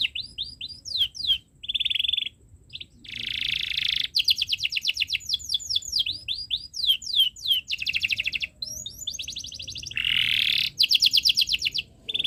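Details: Canary tutor song for young birds: varied phrases of quick falling chirps alternate with dense buzzing rattles and fine rapid trills, with short silent gaps between bursts.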